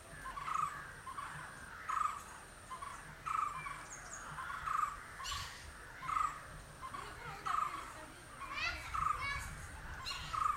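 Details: Indian barbet, green in colour, giving a steady series of hollow, mid-pitched call bursts about every one and a half seconds, with other bird chirps and a faint high hum behind.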